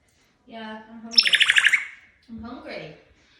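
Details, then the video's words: Pet African grey parrot talking indoors in a small room: a voice-like low phrase, then a bright, rapid buzzy trill with a sharp whistle at its start, and a short, rough, speech-like syllable. "Worlds Best Talking African Grey Parrot"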